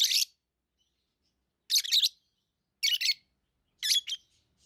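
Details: Pet lovebirds giving harsh, buzzy chirps, mostly doubled, about once every second, in an otherwise quiet setting.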